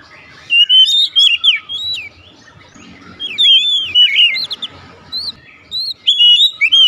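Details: Oriental magpie-robin in 'nembak' style, giving short loud phrases of wavering, warbled whistles and rising slurs, about every two seconds, with brief quiet gaps.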